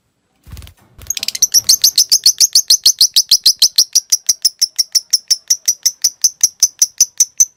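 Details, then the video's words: Caged lovebird giving 'ngekek panjang', a long chattering song used as tutor material for other lovebirds: after a short rustle, rapid high buzzy notes start, about three per second, building into a steady even chatter. "Masteran Suara Burung Lovebrid Ngetik Ngekek Panjang"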